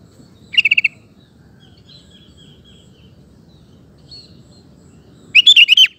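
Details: Sooty-headed bulbul lure song for male birds: a short rapid chattering burst, faint thin whistles, then a quick run of about five warbled notes at the end over steady low background noise.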